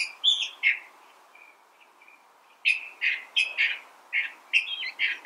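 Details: California thrasher singing in separate phrases: a few harsh, varied notes, a quiet gap of soft warbles, then a rapid series of loud, scratchy, changing syllables.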